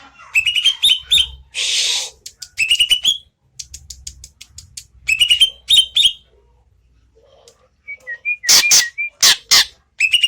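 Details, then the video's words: Greater green leafbird song of lively chirped and whistled phrases in repeated clusters, interrupted by a hissing burst, ending with soft descending whistles and several loud sharp clattering snaps. "burung cucak ijo gede gacor"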